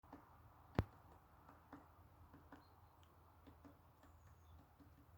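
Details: A Great Spotted Woodpecker that has found bark beetles taps irregularly and softly on a tree, with one sharp, louder knock early on, over a low background rumble.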